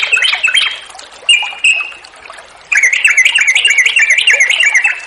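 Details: Yellow-vented bulbul lure song meant to provoke other bulbuls into singing, with flowing water behind: a few scratchy notes and held whistles, then a fast, wavering, bubbly warble rising and falling continuously over constant watery hiss.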